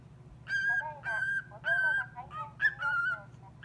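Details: Pet cockatiel singing in response to a call-centre operator's recorded voice: a few clear, tonal whistled notes, some level and some dipping, in short phrases with brief gaps and a low background hum.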